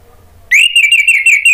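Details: Orange-headed thrush, from a recording meant to coax a stalled bird into song: one loud, sustained, quavering whistled note lasting about a second, with a steady trilling wobble.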